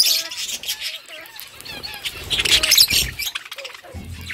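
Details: Pet budgerigars eating food, giving high, scratchy chirps and warbling chatter in quick irregular bursts, with soft lower whistled notes and some crunching noises.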